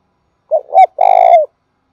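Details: Spotted dove calling in the local thúc bổi and gáy gọi styles: a soft low coo swelling upward, a short pause, then a long vibrating coo held steady before dropping away. The recording is clean, with no other sounds.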